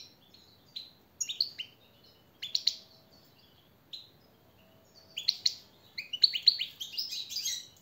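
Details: European goldfinch song used to train captive birds: scattered sharp chirps and short twittering bursts separated by brief pauses, building to a denser tinkling phrase near the end, faint hum behind.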